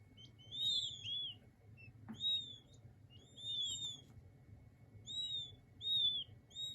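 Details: Peeping of king quail chicks: high, sweet whistles, some doubled or layered, repeated about once a second, with a brief click and low hum behind.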